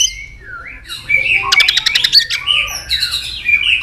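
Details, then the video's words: White-rumped shama singing in a heated, provoking mood: a varied tangle of whistled slides and a burst of rapid clicking notes, dense and continuous. "kích lửa cho chòe lửa căng lửa. chòe lửa tạch đập liên tục. sàn cầu kích lửa cực nhạy.đảo giọng tốt"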